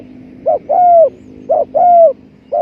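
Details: Spotted dove call used as a trapping lure: soft low coos in groups, a short note followed by a longer, level, slightly falling coo, repeated about once a second against a faint steady hum.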